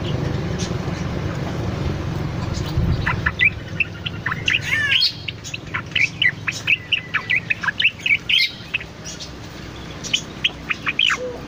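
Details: Cucak loreng bulbul singing eagerly, for use as master or lure sound; after a few quiet seconds with low rumble, rapid chirps and whistles build into a busy run.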